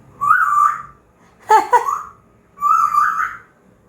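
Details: Pet African grey parrot chatting with its owner, giving a warbling whistle, then a brief harsh double squawk, then a second warbling whistle, after the owner calls it to come.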